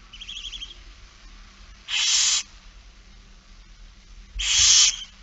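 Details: Barn owl begging at feeding, It Fryske Gea, 8 September 2019: soft wavering chitter, then two strong hissing screeches about two and a half seconds apart, the second longer.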